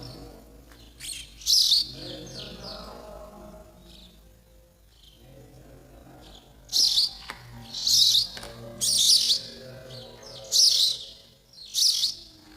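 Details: Nestling sparrows waiting for both parents to bring food: a couple of shrill chirps, a quiet pause, then a run of five loud, high, rasping cheeps about once a second.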